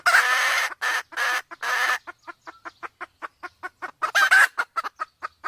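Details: Male and female Sumatran junglefowl, the female in heat, used to lure birds in: harsh, loud broadband bursts open the recording, followed by a quick series of clipped clucks and a few more raspy bursts.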